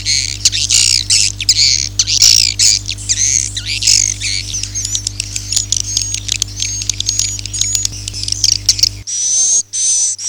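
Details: Swiftlet sound of the Akau ngaji style: busy, high, scratchy twittering and clicking chirps over a constant low hum, ending with a couple of long, hissy, high whistled notes.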